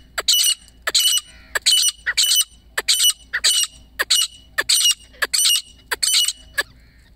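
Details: Female grey francolin calling: loud, harsh, high squawking notes about twice a second, each a short burst repeated in a steady series, with quiet gaps and no other clear sounds.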